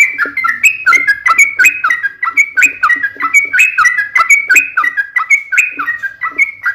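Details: Sooty-headed bulbul in long 'ropel' song used as a lure to make other birds answer: bubbly whistled phrases repeated about once a second, rising and falling, steady and continuous.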